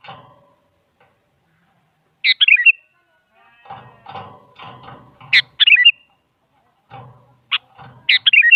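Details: Sooty-headed bulbul song played as a lure to prompt a silent bulbul to answer: several short, bubbly whistled phrases and sharp single notes, spaced irregularly among bursts of low rumbling background noise.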